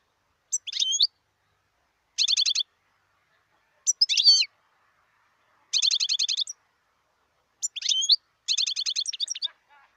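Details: Wild European goldfinch giving short bursts that alternate between a few slurred chirps and a quick stuttering trill, repeated roughly every one and a half seconds against quiet surroundings.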